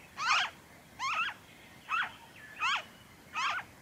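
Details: In Victoria, Australia, during February 2023, a noisy friarbird gives five raucous, twanging notes, each a quick jagged downslur, spaced roughly seven tenths of a second apart.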